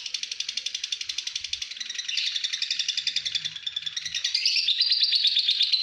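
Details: Home-kept pastel green fighter lovebird in extended ngekek: fast, high, pulsed chattering that climbs slightly in pitch after two seconds and grows louder toward the end, with faint low hum behind.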